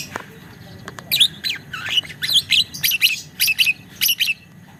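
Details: Lovebird chattering loudly in the ngekek style, a string of high, scratchy, twittering chirps in quick succession after a quiet start.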